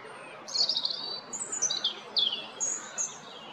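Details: A European robin at Jarun, Zagreb, Croatia, recorded 13 April 2022, sings thin, high, tinkling phrases with quick sliding notes and short trills, changing pitch from phrase to phrase over a soft steady hiss.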